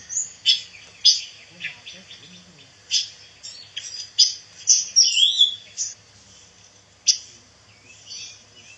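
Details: Pancawarna bird, an insect-eating songbird said to be becoming rare, recorded as tutor material for white-rumped shamas. Sharp high chirps repeat about once a second, with a warbled twittering burst midway, a faint low hum and soft distant voices.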